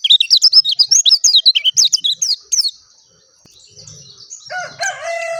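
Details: Dakun oriental white-eye singing clearly: a rapid string of high, bouncing chirped notes, then silence, followed by a few thin tones and some lower, harmonic nasal calls near the end.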